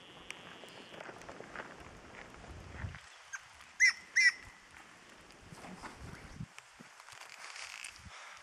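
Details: A Tawny antpitta (Grallaria quitensis) at Los Nevados, Central Andes, Colombia gives two loud, short, hollow notes in quick succession at mid pitch, over a soft background hiss of wind.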